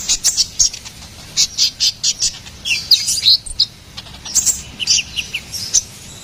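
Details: Ruby-cheeked sunbird, recorded as tutor and lure material for songbirds, gives lively high song: separate bright chirps and squeaky rising-falling whistles in quick sequence, with clear short spaces between notes.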